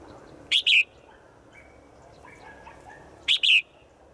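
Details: A female bird calls out to a male in the forest, a daily call: two bright double chirps about three seconds apart, the second note of each pair longer and dipping, over faint low background noise.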